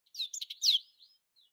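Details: European goldfinch singing: a short burst of bright twittering notes, some sliding downward, with a louder sweeping note near the middle and faint trailing chips.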